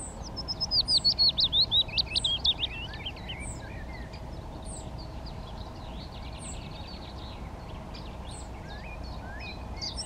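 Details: A male Yellowhammer (Emberiza citrinella) in breeding plumage sings a quick run of about ten bright, rattling notes, then falls silent; Willow Warbler and Chiffchaff song faintly in the background.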